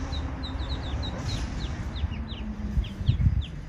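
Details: Mother Eastern spot-billed duck and ducklings that wandered in where no water is nearby; sparse, high, downward-sliding peeps, a few per second, over low-pitched background noise with occasional thumps.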